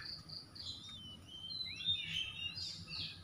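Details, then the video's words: Oriental magpie-robin in full song, offered as a recording to restore singing in stressed birds that have stopped: thin, high whistles and slurred, rising and falling phrases in quick succession, over a steady high insect-like hiss and low rumble. "KACER SETRES MACET BUNYI LANGSUNG GACOR"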